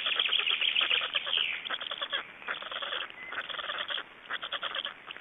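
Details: Black storks at a nest in Estonia during feeding, 26 May 2012: dense harsh rasping calls in rapid pulsed bursts, about two per second, with a brief pause before the bursts resume, heard through a band-limited recording.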